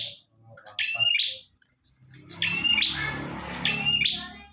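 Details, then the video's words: Bar-winged prinia singing energetically, recorded for use as a master recording. Short, buzzy, rising phrases with bright chip notes, repeated about every second, with a rustling noise and faint low murmurs behind the later phrases. "Burung prenjak tamu / prenjak omah gacor"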